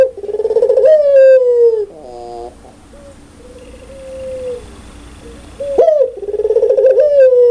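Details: Pelung-style spotted dove in loud, clear voice: a powerful throbbing coo sliding downward, then quieter stepped and drawn-out notes, and another strong rising, vibrating coo to close.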